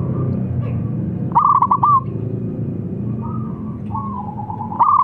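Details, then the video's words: Loud calling by a local zebra dove to coax answers: a rapid cooing trill near the middle, softer drawn-out notes afterward, and a new phrase beginning at the end, over steady low rumble. "PERKUTUT LOKAL BERSUARA LANTANG MEMANGGIL BIKIN NYAUT"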